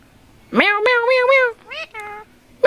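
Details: Indian ringneck parakeet talking like a person: a run of voiced, speech-like syllables, the first gliding upward and then several wavering tones, followed by two shorter, softer syllables. Quiet room background.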